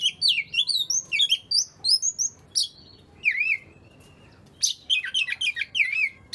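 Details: Oriental magpie-robin singing, to set reluctant birds singing: high squeaky whistles, a sweeping slurred note, a short lull, then lively warbled phrases again.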